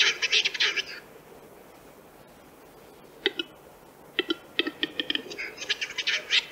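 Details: In Central Russia, a Western Capercaillie gives a series of dry, hollow clicks, some in quick runs, between bursts of a harsh, scraping, grinding sound.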